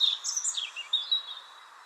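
European Robin singing one brief phrase of high, thin whistles and quick trills that slide up and down in pitch, then fade out against faint background hiss.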